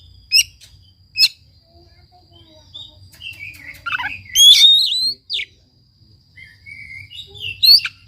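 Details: Oriental magpie-robin song used to encourage a silent bird to sing: a couple of sharp clicks, then warbled whistles building to a loud rasping rising phrase, followed by quieter slurred notes and a steady faint high tone.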